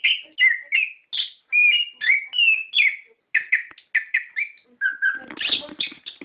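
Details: Orange-headed thrush singing a provoking lure for captive birds, in the clear, rolling ngeplong ngerol style: a string of bright slurred whistles and short clipped notes, closing with a harsher, scratchy burst.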